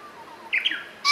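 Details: Green pheasant (Phasianus versicolor) crowing on a sunny, hot day with a pleasant wind, 3 May 2015: a single loud, harsh, raspy crow note of about a third of a second, with a second burst starting at the end.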